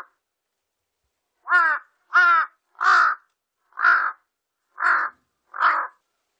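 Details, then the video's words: Large-billed crow recorded in 2020 by Korea's National Institute of Biological Resources: after a quiet second, six caws roughly a second apart, the first two clearer and tonal, the later ones coarse and grating. "큰부리까마귀, 여러번 듣기"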